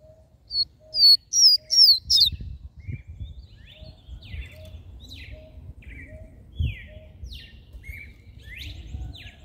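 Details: Rusty-collared seedeater singing the mateiro style of song, played to stimulate males; loud bursts of sharp, high whistled and trilled notes open, followed by fainter scattered chirps, with a steady low tone repeating about once a second behind.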